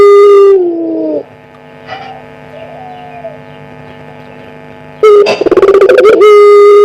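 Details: A one-year-old collared dove of the pelung type gives a loud lure call: a long, deep harmonic coo that dips and fades, a pause, then a sharp rolling burst ending in another sustained coo.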